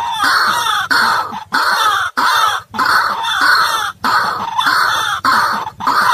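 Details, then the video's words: Lure recording of white-breasted waterhen used for trapping: harsh, raucous grunting calls in bursts of about half a second to a second, separated by short silent gaps. "Jerat burung ruak ruak dan suara ruak ruak paling ampuh"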